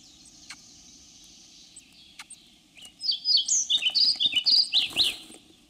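European pied flycatcher singing a quick, high phrase of sweet, see-sawing notes that tumble down and up for about two seconds after a near-silent start.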